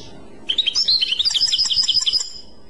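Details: European goldfinch, clochette song: after a brief pause, a lively run of clear, chiming, quickly repeated twittered notes about two seconds long.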